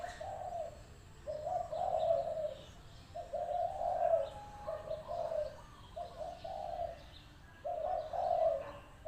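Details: Lively decoy spotted dove at a trapping pen cooing: soft, deep, rounded phrases of two or three blended notes, given about every two seconds with quiet gaps between.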